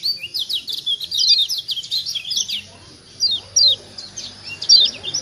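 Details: High twittering from a Lombok white-eye (kecial kuning), a call meant to make other birds respond: a fast chatter of thin descending notes, then spaced single chirps roughly every half second, low hum underneath.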